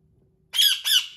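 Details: Pet talking ringneck (rose-ringed parakeet) yelling indoors, screaming when told no while stubbornly perched somewhere he shouldn't be: two harsh, piercing, loud high-pitched screeches in quick succession after a quiet moment.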